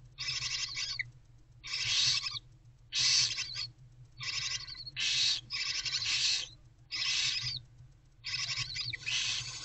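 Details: Owlets of the barn owl calling from a nest box before dawn in February, the mother taking a break. Harsh, noisy screeching hisses, each about a second long, follow one another roughly every second and a half.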